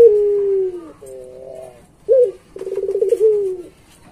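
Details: Barbary dove (puter pelung) singing lively, used as a master recording for training pet doves: a long, low, falling coo, then a wavering doubled tone, a short sharp note, and a rapid rolling, throbbing coo trailing into a drawn-out hum.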